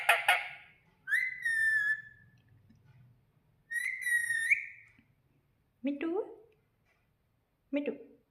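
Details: Talking pet ring-necked parrot, said to say mummy and papa: two squeaky, flat, whistled phrases about a second long, followed by short lower clipped voice sounds, in a quiet room with a person nearby.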